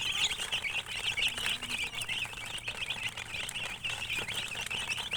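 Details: Flock of baby chicks chirping loudly, crowded high peeps with quick up-and-down inflections, continuous, with some rustling and a low hum.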